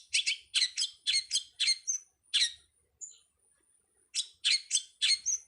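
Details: Long-tailed shrike master song for training birds: quick bursts of paired raspy chirps, interrupted by brief thin whistles and a near-silent gap around the middle, then resumed in the same scratchy rhythm.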